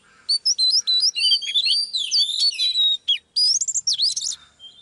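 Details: Oriental magpie-robin female singing in training to rouse a male: quick stepped whistles, long sliding bright notes and twittering runs, with one short silence before a final rising flourish.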